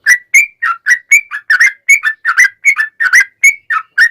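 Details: Lure recording of a sooty-headed bulbul singing hard in long 'ropel' style: an unbroken string of fluty, bubbling two-part whistles, some rising and some dropping, delivered at a quick steady pace.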